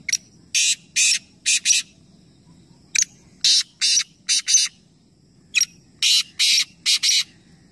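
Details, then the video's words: Three black francolins calling at once in a competition, Nawabshah, Pakistan; three rasping phrases follow each other, each of three or four harsh, hissing bursts after a short click, with gaps between phrases and low ambient hum. "Teen Teeter Ek Sath Awaz Competition | Black Francolin"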